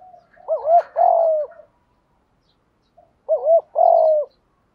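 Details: Spotted dove cooing, recording used to train and provoke decoy doves; two loud phrases, each a short wavering coo followed by a longer drawn-out coo, about three seconds apart, in a quiet setting.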